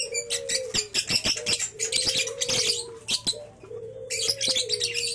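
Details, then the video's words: Lovebird youngster of three months from champion stock: busy, raspy high chattering in clustered bursts, with a short pause before a final loud run. Low sliding whistles sound throughout. "Burung love Bird Umur 3Bulan Durasi Panjang"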